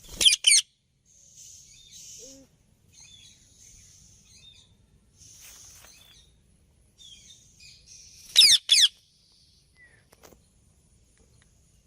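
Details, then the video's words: Loud, rasping double screeches from a rose-ringed parakeet at the start and again after about eight seconds, with soft high chirps and faint whistles from other birds in the quiet stretch between. "Rose Ring Parrot Natural Sounds"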